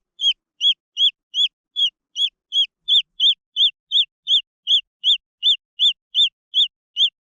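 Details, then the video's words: Rapid, high peeping from green junglefowl chicks, arched notes repeated almost three times a second, quickening slightly midway, in otherwise quiet surroundings. "The Sound of jungle fowl chicks"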